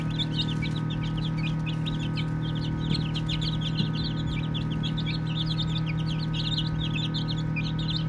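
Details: Baby chickens chirp continuously during play, many overlapping thin peeps falling in pitch, a couple of faint knocks, all over an unchanging low hum.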